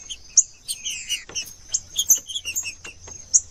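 Green-winged saltator song: bright, high chirps and short whistles, one falling slurred note, given in quick irregular bursts over a thin steady high tone.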